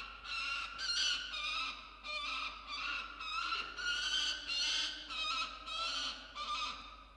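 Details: Screaming peregrine falcon protecting a musk lorikeet it has brought into a camera-monitored nest box, early morning, 27 December 2022. Rough, strident calls come in a steady, rapid string of about eleven in seven seconds.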